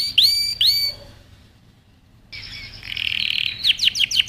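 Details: Canary training song: two bright upswept whistles, a pause, then a buzzy high trill ending in quick descending sweeps.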